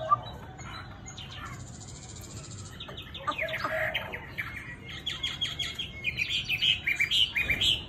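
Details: A captive Chinese hwamei, described as singing readily with a gentle voice, sings a varied run of buzzy and whistled notes that grow louder, ending with clear, ringing phrases repeated about twice a second.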